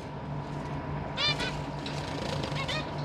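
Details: A family of captive zebra finches with fledglings learning to fly, December 2023: a quick burst of two or three bright nasal calls, followed by fainter scattered calls, above a low electrical hum.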